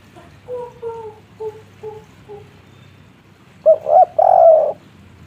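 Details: Spotted dove, 'kuk 3' style local voice: faint soft doubled notes at first, then a loud phrase of two short coos and a long rough coo.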